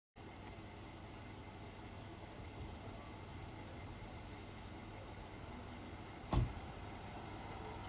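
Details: Sawtell street at night, with a faint steady traffic hum and one brief sharp knock, and no animal calls.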